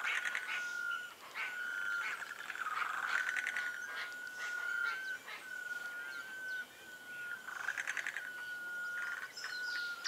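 Sunbittern giving a long, thin, steady whistle held at one pitch for several seconds with brief breaks, over busy chirping from insects or small birds.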